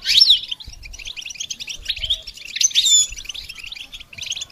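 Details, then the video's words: Goldfinch song used for songbird training, with scattered high chirps and two bright whistled slurs, one at the start and one near the middle, amid lighter twittering. "integrated stimulation suitable for all songbirds for goldfinches"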